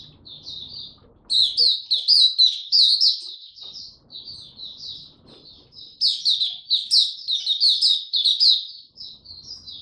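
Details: Young male white-eye working on his maturing song, dated 9 February 2022. Two loud bursts of fast, high, tumbling twitters are separated by quieter, scattered chirping notes.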